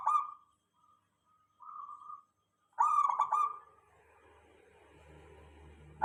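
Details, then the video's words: Local zebra dove song used to lure other doves into replying: soft trilled coos, then a louder bubbling burst of rapid notes, followed by a low rumbling background noise. "Suara perkutut lokal.dijamin semua perkutut langsung nyaut ramai"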